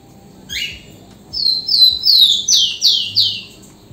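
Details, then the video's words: Tico-tico, the rufous-collared sparrow, opens with two short rising whistles, then pours out a string of six loud, clear, downward-sliding whistled notes at a steady pace. "3 Minutos de canto do TICO TICO ligeirinho | zonotrichia capensis"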